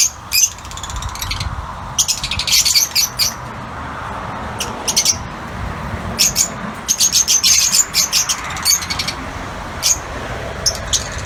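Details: Outdoor aviary of yellow lutino Fischer's lovebirds: scattered sharp, high chirps and short chattering bursts rise over a steady low background rumble.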